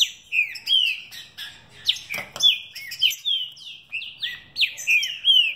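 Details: Green-winged saltator (Saltator similis), a captive-bred mutation bird, singing rapid, tumbling runs of loud whistled notes that slide downward and follow one another with hardly a pause.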